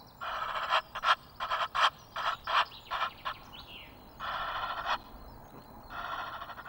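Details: Egyptian geese calling noisily on 5 March at Loch of the Lowes, Scotland, caught by a wildlife webcam: harsh, nasal bursts repeated in an uneven series, some short and clipped, others drawn out for half a second or more.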